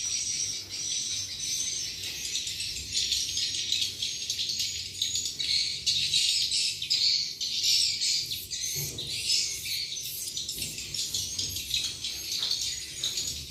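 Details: Lure recording of swiftlets meant to attract them to roost, mate and nest: a thick chorus of high, sharp twitters and squeaky chirps, many birds calling at once, with short louder bursts scattered throughout.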